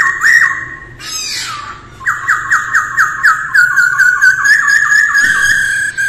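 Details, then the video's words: Masked laughingthrush singing in the early morning for daily voice training: loud series of clear, rising notes near the middle register, repeated about twice a second, after a brief harsh burst, with a sharp click near the end. "Khướu hót luyện giọng mỗi ngày vào sáng sớm mái ro ro | Masteran Poksay hongkong"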